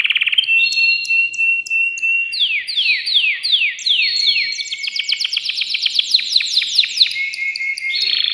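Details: Excited caged male canary singing to stimulate a female to mate, song also used for tutoring chicks; a steady whistled note, then rapid descending sweeps repeated several times a second, shifting into fast trills and a closing buzzy tour.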